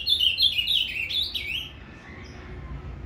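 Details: Caged ultramarine grosbeak singing Paraná canto fibra, used to heat up another azulão: a fast burst of ringing, slurred whistles for about a second and a half, trailing into faint, quiet notes.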